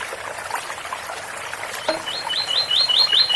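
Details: Double-collared seedeater singing an 'ouro fino' song in the 8x4 - 7x4 pattern beside a water fountain: after splashing water noise, a series of short, clear whistled notes begins, each a quick rising-falling slur, repeated rapidly.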